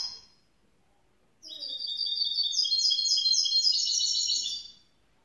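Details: Young grey-blue goldfinch mule (hybrid) singing: after about a second and a half of silence, a dense, rapid high twittering warble of buzzy trills and chirps runs for roughly three seconds, then stops abruptly.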